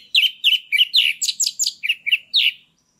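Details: Caged orange-headed thrush in loud 'ngeplong' song meant to provoke a stalled bird into breeding condition. About ten sharp, chirpy, downslurred notes come in quick, slightly uneven succession, roughly three a second. Nothing else is heard.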